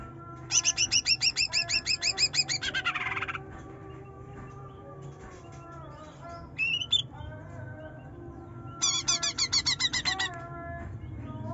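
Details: Young greater green leafbird (trotol) singing in the rapid 'nyerecet nembak' style, used as a lure to provoke a reluctant bird to sing: two bursts of fast, buzzy, repeated harmonic chips separated by quieter calls, over a low steady hum.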